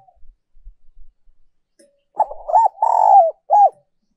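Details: After a few soft taps, a spotted dove sings one 'giọng còi' ('giọng kim') decoy phrase: rough stuttered coos, a sustained downward-sliding coo, and a brief arched closing coo.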